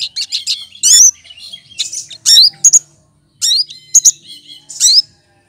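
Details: Green leafbird, known locally as cucak kinoy, singing a lively stretch of mimicked calls: bright chirps, upslurred whistles and short sweeping notes in quick bursts separated by brief pauses.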